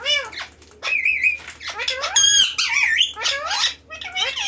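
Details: A pet talking parrot chatters indoors in a string of squawky, speech-like phrases, harsh nasal syllables rising and falling in quick bursts over about four seconds.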